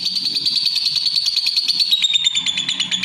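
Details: Lovebird song as a steady, rapid, buzzy chatter, dense high pulses with a slight downward pitch step midway.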